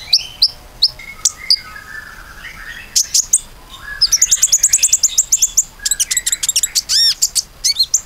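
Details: Common iora song for luring other birds to sing: scattered high chirps, then a rapid even series of sharp notes, ending in looping whistled notes and quick trills.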